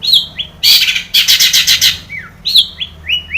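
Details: Long-tailed shrike song with imitated notes, used as a lure to make captive shrikes sing; loud harsh buzzy bursts alternate with short descending whistled slurs and sharp chirps, with a low hum behind.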